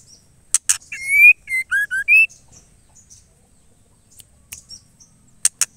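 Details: Calling female white-rumped shama, summoning the male: one clear whistled phrase, a long rising note, then short dipping whistles and a final upslur, framed by sharp dry clicks before it and near the end.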